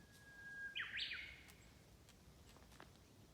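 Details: Unidentified bird song in spring along a mountain forest road in Tanzawa: a long level whistle leads into a loud, fluttering, burry flourish, then quiet taps and faint distant chirps.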